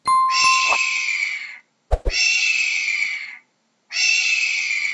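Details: Hawk giving harsh, hoarse screams about 1.5 seconds long, each slightly falling toward the end, two full screams and the start of a third, preceded by brief metallic dings and clangs at the opening.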